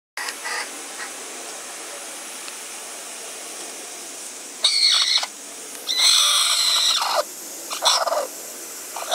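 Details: Broody hen refusing, giving harsh, raspy squawks in three bursts: a short one, a longer sustained one about a second long, then a brief final cry, with quiet background between.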